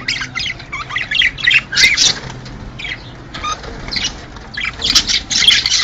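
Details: Budgerigars calling, a sound said to prompt mating: clusters of scratchy squawks and chirps in quick bursts, a quieter pause midway before the noisy chatter resumes.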